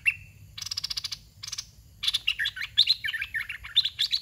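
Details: Dok taeng style caged red-whiskered bulbul used for luring wild birds: a thin rising whistle, then two harsh rattling bursts, then a quick string of bubbly warbled whistled notes.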